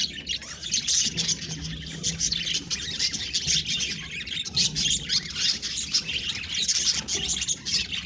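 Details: Several pet budgerigars warble and squawk in dense, high, scratchy chatter that rises and falls in loudness, with a faint low hum at times.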